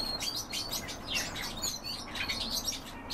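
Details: European bee-eaters during feeding, giving a dense run of short, rolling chirps that overlap with one another, high-pitched and busy over a steady background hiss.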